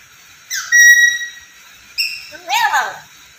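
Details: Black-capped lory, a vocal bird that can talk: a bright rising whistle that settles into a long level tone, a short higher whistle, then a wavering, voice-like babbling phrase imitating speech.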